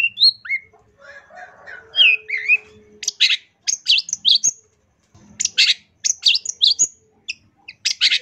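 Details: Long-tailed shrike in lively, full-repertoire song of the kind used to tutor other birds: varied whistled slurs and chirps at first, then quick bursts of sharp, high, scratchy notes in uneven runs, with a faint low hum behind.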